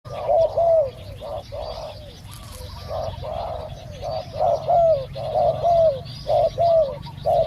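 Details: Spotted doves during a live decoy session in which a caged decoy lures a wild bird with a small voice: steady mid-pitched coos, each short phrase bending down at the end, about one a second, with a low hum behind.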